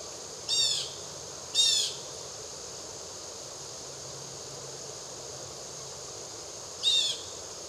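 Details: Blue jay on wooded private property in the Triad area of North Carolina gives three harsh, raspy, high-pitched calls, two close together and one after a long pause, over faint steady background hiss.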